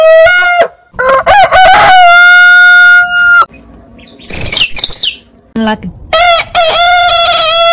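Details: Rooster crowing: a long, steady, ringing crow, then a gap with bursts of higher squeaky calls and rustling. Another crow with wavering notes closes the clip.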